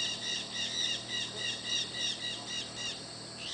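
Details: Flock of maritacas (Pionus parrots) calling together: harsh, repeated squawky notes in quick overlapping bursts, roughly three per second, with a steady low hum underneath.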